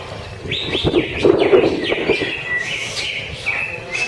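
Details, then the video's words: Greater green leafbird singing at a Friday songbird practice contest, quick varied whistled phrases, some sliding, some sharp and chirpy, over a low murmur of background noise and other birds. "TIKIR Cucak Ijo"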